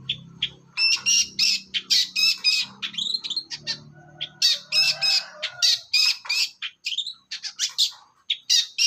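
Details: Continuous ngacor song of a young long-tailed shrike from the forest: fast irregular volleys of scratchy, shrill notes mixed with short upslurred whistles, about three per second, over a faint low hum.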